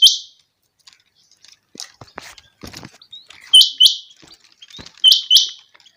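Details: Changa quail producing paired high, upswept whistled notes with buzzy trailing tails, recurring roughly every one and a half seconds, with scattered rustles and clicks between phrases.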